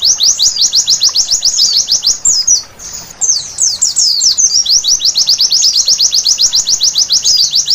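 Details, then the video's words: White-eye singing at night, offered as therapy to make birds sing vigorously: a fast, high, continuous run of sharp downward-swept chirps, briefly broken by a softer, jumbled twittering passage midway before the rapid sweeps resume. "Terapi Pleci Malam Hari Bikin Gacor seketika!!!"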